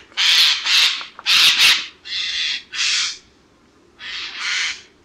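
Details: Harsh, noisy screeching of a Eurasian jay: a rapid series of rasping calls, some doubled, followed by slightly lower, smoother hoarse calls after short gaps.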